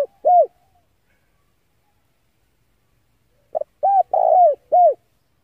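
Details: Male spotted dove calling, used to lure wild doves for trapping: clean, low, hollow coos, one short note, then after a pause a quick stutter and three rounded coos, in a silent background.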